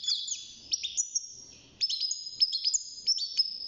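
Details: European goldfinch, young and caged, beginning to sing at six months: rapid high chirps and clear, drawn-out whistled slurs delivered in quick bursts.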